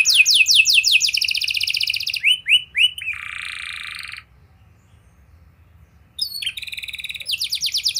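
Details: Lively canary song to stimulate young canaries to sing. Rapid piercing trills give way to a few descending whistles and a long buzzy rattle, then a pause. Crisp, fast trilled phrases follow over faint low background hum.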